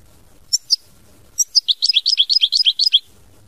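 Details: European goldfinch giving two short introductory chirps twice, followed by a fast, jingling run of twittering song notes for about one and a half seconds.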